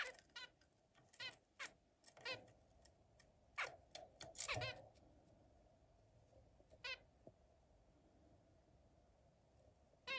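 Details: Zebra finch calling indoors: a few brief, nasal harmonic notes spaced irregularly over a low steady hum, with a louder rustling burst midway and long quiet stretches.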